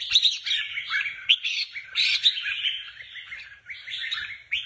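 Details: Red-whiskered bulbuls groomed for competition sing energetic, slightly harsh warbled phrases mixed with sharp high chips, the song rising and falling in loudness throughout.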